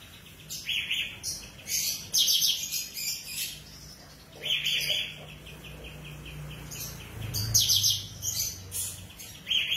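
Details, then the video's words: Tame, lively bulbul, locally called kapas tembak, whose song serves as training material for magpie robins; bursts of dense, high, chattering notes come in short phrases about every one to two seconds over a faint low hum. "KAPAS TEMBAK GACOR,JINAK COCOK JADI BAHANMASTERAN MURAI BATU"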